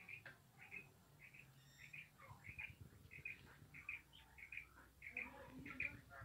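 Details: Female quail calling indoors, giving short, bright chirped notes repeated about one and a half per second in an uneven series, with low rumbling background noise throughout.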